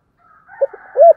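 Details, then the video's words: Spotted dove giving a short low coo phrase: a soft brief note, a few muffled pulses, then a longer rising-and-falling hollow coo. "cu gáy"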